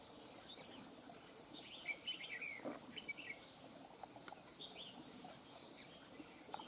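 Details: Wild-caught red-whiskered bulbul pours out hurried whistled song phrases early on, followed by scattered clicks and softer notes, with a steady insect drone behind.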